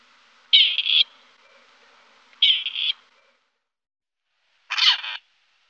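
A grey partridge gives three harsh, creaky, rasping calls, each about half a second long and spaced roughly two seconds apart, in an otherwise quiet setting.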